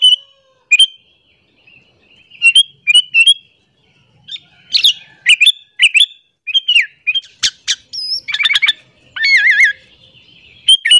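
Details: Sooty-headed bulbul lure call meant to provoke other bulbuls: a long, busy sequence of bubbly chirps growing denser, ending with rapid wavering trilled notes and a few sharp clicks, nearly continuous over eleven seconds.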